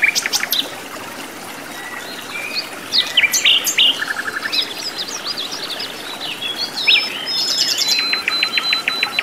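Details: Lively song of a wild sikatan londo flycatcher in native habitat: varied high chirps, thin whistles and rapid trills, with a fast ticking series near the end and steady natural background hiss.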